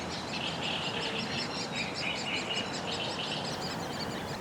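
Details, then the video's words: Woodpeckers at their nest by a lake in spring (April–May) give a loud, continuous chatter of rapid, high, squeaky notes over a steady outdoor hiss; the parents were seen nearby. "А це гніздо дятлів. Вони дуже кричать."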